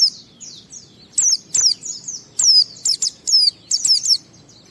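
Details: White-eye giving quick high chirps, a lure song for other white-eyes, called ngalas gacor; soft thin notes at first, then a run of loud bright descending whistles in close succession.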